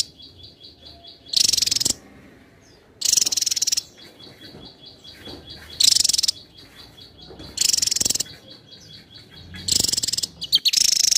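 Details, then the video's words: Javan tesia recorded for competition song training, singing densely: loud half-second bursts of rapid, very high, scratchy notes about every two seconds, five in all, with a faint steady pulsed whistle between them. "Tesia jawa gacor rapat"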